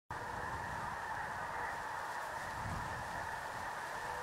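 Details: A large flock of snow geese (Anser caerulescens) resting at Freezeout Lake, Montana, during migration gives a continuous din of high, nasal honks and yelps blending into an unbroken roar, with faint wind rumble underneath.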